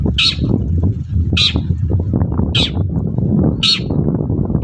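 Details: Long-tailed shrike calling in the morning as a provoking lure for other shrikes: five coarse, buzzy squawks at steady intervals of just over a second, with a persistent low drone beneath.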